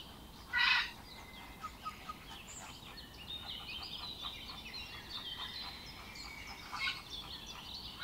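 One loud, nasal, goose-like honk, then a steady babble of softer honks and chatter from a flock of flamingos.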